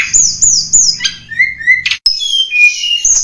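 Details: Blood-breasted flowerpecker (tledekan gunung) lure sound for attracting wild birds. Three repeated high arched whistles give way to lower sliding notes, then more varied chirps, over a faint low rumble that stops after a brief gap.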